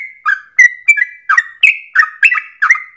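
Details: A short burst of trucukan (Yellow-vented Bulbul) ropel song, used as a lure for tutoring birds. The bird gives a rapid series of bubbling, downslurred chirps, three to four each second.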